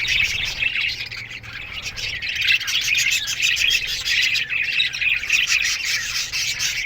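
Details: Morning chirping from a colony of budgerigars kept in an aviary: many birds chatter at once in a steady, busy stream of short high warbles and twittering notes, with soft squawks mixed through.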